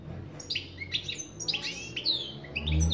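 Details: A European goldfinch sings a quick stream of bright, slurred twittering notes and short buzzy trills, with a low rumble underneath.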